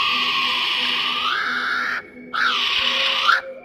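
Kiwi giving two long, shrill, rasping cries that swell and bend in pitch, with a short gap between them, over a faint pulsing musical beat.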